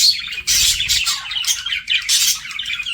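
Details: Budgies flirting as pets: loud bursts of scratchy, noisy chirps in clusters about every half second, mixed with lower warbling chatter and faint low background hum.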